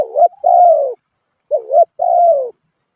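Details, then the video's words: Spotted dove cooing: two phrases of low, husky coos, each a short rising note followed by a longer, slowly falling note, with clear pauses and a quiet background. "suab nquab lauj kaub tawg เสียงนกเขาใหย่"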